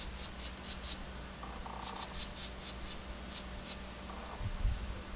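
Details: An agitated House Wren in a suburban backyard outside Orlando, Florida, on October 24, gives runs of harsh, high, rasping notes, four or five quick notes at a time, over a steady low hum and some faint buzzing.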